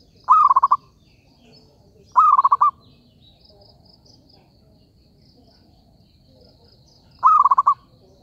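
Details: Zebra dove calling as a trapping lure, giving three short rippling, staccato coo phrases, the first two close together and the last after a long pause, with faint background murmur.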